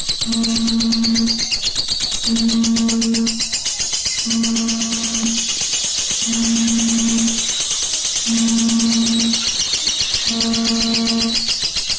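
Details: Loud music with a tambourine and plucked strings, sustained low tones recurring every two seconds, and no animal sound heard.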